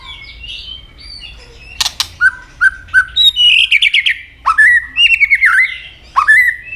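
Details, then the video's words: White-rumped shama in fighting song, tail snapping; soft low whistles, then a sharp click, followed by loud short chattering notes, rolling trills and swooping whistled phrases that grow louder toward the end. "chòe lửa chuyền hót đấu nết đập tạch đuôi chắc,kích chòe lửa hót đấu chớm lửa"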